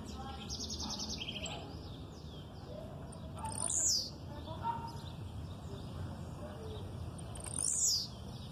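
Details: Blue-black grassquit singing aggressively while a female calls in the background. Two loud, high, buzzy downslurred notes come about four seconds apart, with quieter chirps and a brief trill in between.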